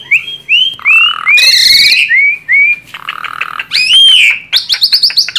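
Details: Asian pied starling, a tame bird in full song used as a lure: clear rising whistles alternating with rough, rasping bursts and a quick stuttering chatter at the end.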